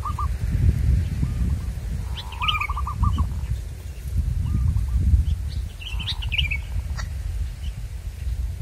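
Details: Zebra dove in the wild, trapping setting: several bubbling pulsed coo phrases of varying loudness, some faint and distant, mixed with twittering chirps of other birds and a deep rumbling background.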